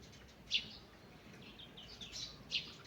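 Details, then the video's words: Morning forest birdsong: a couple of sharp, high chip notes about two seconds apart, with softer twittering phrases between them over quiet background hiss. "Morning Birds Singing in the Forest"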